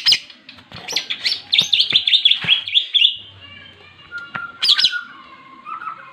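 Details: Greater green leafbird giving a fighting song in the ngentrok jenggrik style, meant to provoke other leafbirds: a dense burst of high chattering and whistled notes for three seconds, then sparse thinner whistles and a few sharp chips.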